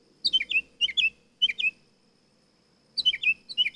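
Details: Nightingale singing: short clusters of three or four quick descending chirped notes, each cluster repeated about every half second, then a pause and another run of the same tumbling phrase.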